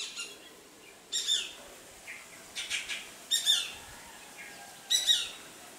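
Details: Greater racket-tailed drongo mimicking the calls of Shikra, Rose-ringed Parakeet and Treepie: short, sharp, harsh bursts with bright overtones, delivered in groups and pairs about every second or two against a quiet background.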